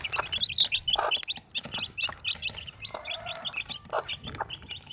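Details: Four Desi baby chicks with their mother hen: loud, piercing high cheeps in rapid clusters dominate, with occasional low hen clucks and a short rough note in between.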